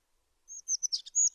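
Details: Short burst from a tit: a high sustained whistle, a few quick chirping notes, then two more long high whistles, with no other sounds.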